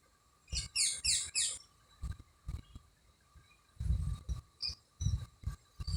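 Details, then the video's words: Birds chirping among trees at Anuradhapura, Sri Lanka: a short burst of rapid, high, scratchy chirps, then sparse faint notes, over repeated low thumping knocks. "birds chirping"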